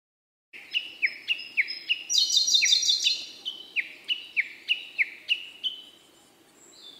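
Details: Male Siberian blue robin delivering a steady run of crisp, falling chirps about three per second. A brief, rich, buzzing trill overlaps the middle, and the phrase fades into a soft high whistle.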